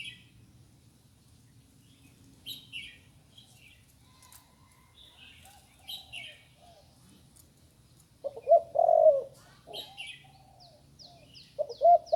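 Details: Young spotted dove that has only recently learned to call: quiet background for eight seconds with distant small-bird chirps, then loud, low, hollow coo notes near the end, mixed with high thin chirps of other birds.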